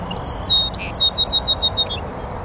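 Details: Sweet song of a North American Song Sparrow in a bush by a beaver pond on a northern USA oak savanna: a whistled high note, a brief low buzz, then roughly seven quick, crisp repeated notes.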